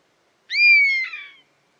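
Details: European honey buzzard uttering a single clear, slightly descending whistle lasting about a second, with a sharp rising start and a rougher, fluttering ending; clean silent background.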